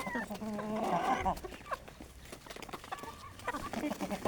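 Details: Village-farm Aseel hens at their early-morning desi feed; a cluster of harmonic, drawn-out hen calls opens, followed by quieter irregular clucks and soft murmuring sounds.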